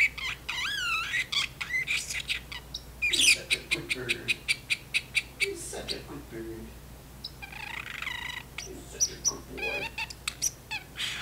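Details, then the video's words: A male pet talking parrotlet in his cage chatters back and forth with his owner, who is washing dishes, in high rapid warbles, squeaky whistles, clicks and speech-like babble; the owner murmurs "do you want some carrots?" "talking parrotlet"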